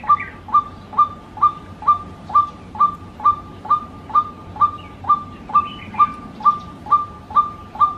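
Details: White-breasted waterhen call used to lure birds: a clear, flat whistled note repeated steadily about twice a second, each with a slight upward flick at the start, over faint background hiss.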